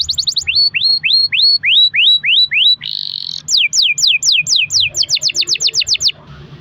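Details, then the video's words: Caged canary in long-rolled song used as a lure to prompt other canaries to sing: series of swooping whistled syllables about four per second, a brief buzzy burst, then faster descending trills. "kenari gacor ROL PANJANG buat pancingan kenari agar bunyi"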